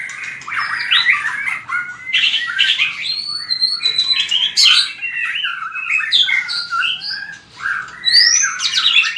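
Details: Energetic fighting song of a white-rumped shama, sung to train the voice: jumbled chirps and slurred whistles leaping between pitches, with short gaps and a bright rising phrase near the end.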